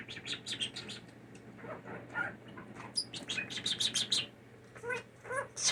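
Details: A hand-raised blue jay, taken in after falling from the nest as a nestling, gives quick, breathy bursts and harsh chirps mimicking a human sneeze, several in a row, over a steady low electrical hum.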